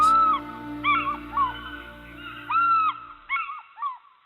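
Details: African Fish Eagle at Lake Naivasha, Kenya, giving ringing, yelping calls in quick bursts, some drawn out and others short and falling, over soft background music.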